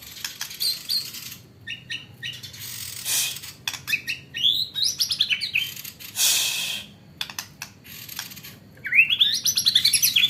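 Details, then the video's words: White-rumped shama singing a song filled with hanging-parrot imitations: high, thin chittering notes and fast trills in bursts, ending in a rapid rising series of sharp chips, with scraping and rustling noises between phrases. "MURAI BATU ISIAN BURUNG SRINDIT"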